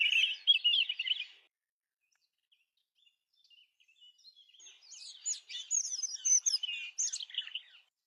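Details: European robin song in two phrases split by a pause of about three seconds: first a short rapid trill, then a longer tumbling sequence of high, thin whistles and fast twittering notes, with no other sounds.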